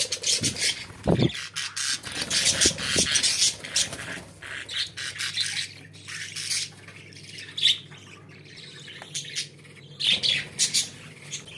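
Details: Several pet budgerigars chattering together, a dense, scratchy warble of rapid squawks and chirps in bursts, with brief sharp clicks and a steady low hum behind.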